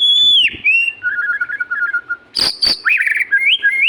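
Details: Magpie-robin in full, energetic song: long clear whistles sliding down, a wavering lower phrase, two sharp harsh bursts, then rising whistled notes, over a steady low background hum.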